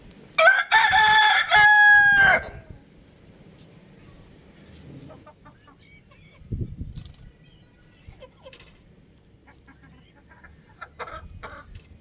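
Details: Rooster crowing loudly: one strong, harsh, drawn-out cock-a-doodle-doo lasting about two seconds, then quiet farmyard background with a few faint clucks and knocks.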